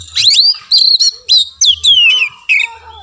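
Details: Training song of the Oriental magpie-robin, played to coax a silent caged bird into singing: clear whistles, downward-sliding notes and a grating buzz, about five phrases in three seconds.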